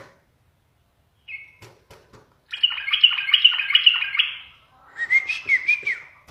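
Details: Yellow-vented bulbul kept in a cage and teased by its keeper. A short whistled note is followed by a dense, scratchy, chattering run, then a bubbling warble of rising and falling notes, all indoors.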